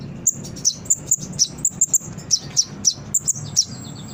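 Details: Brown-throated sunbird singing as a training lure: quick series of sharp, very high chips, roughly three or four per second, some slightly lower-pitched, with a steady low drone.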